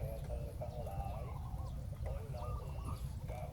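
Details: Spotted doves in a ground-decoy setting meant to draw a wild bird down, several soft rolling coos overlapping in quick succession above a low hum.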